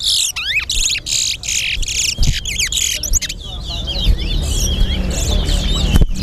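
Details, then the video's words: Chestnut-bellied seed finch (towa towa) singing in a Guyanese bird song competition: a fast, sweet warbling song of slurred whistles and twitters, with bursts from a second bird, over low rumbling noise, music and voices. "TOWA TOWA BIRD COMPETITION"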